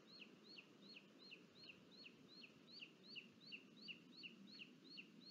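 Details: Booted eagle (Hieraaetus pennatus) at a nest in Sierra de Guadarrama National Park, Spain, 23 July 2022, as the father delivers food and the young eats alone. The call is high, thin whistled notes dropping sharply in pitch, about three per second, over soft hiss.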